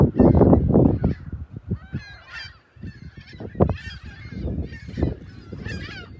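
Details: On a Sunday morning, March 21, 2021, gulls call at South Haven's South Beach near the lighthouse and pier. Strong low thuds open, then clusters of harsh, wavering squawks and cries repeat over the remaining seconds.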